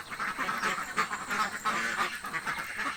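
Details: Hungry laying ducks in a village give quick nasal quacks, roughly three each second, loud and overlapping, forming a restless chorus.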